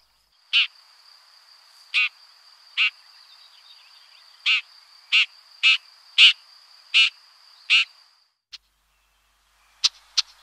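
Red-backed shrike giving about ten harsh, rasping 'chack' notes at uneven intervals, roughly one per second, over a thin, steady high-pitched whine.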